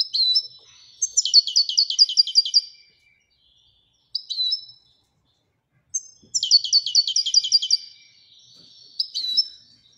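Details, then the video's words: Marrakech goldfinch in the Widaniya song style, delivering two long phrases of fast, evenly repeated high metallic notes, each followed by short tinkling calls, with clean quiet gaps between them. "الحسون المراكشي لغة الويدانية"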